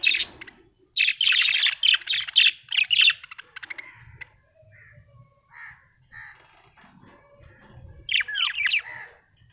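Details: Cheerful budgie chirping: a fast, scratchy warble of high notes for two seconds, then quieter scattered chirps, and a final burst of rising whistled squeaks.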